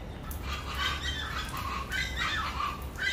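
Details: Chachalacas giving harsh, raspy calls in overlapping bursts that rise and fall over three seconds, with a steady low rumble underneath.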